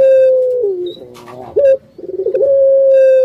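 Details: Captive puter dove singing in the pelung style: a long level hollow coo that drops to a lower, grating note, a brief rising hoot, then another sustained even coo.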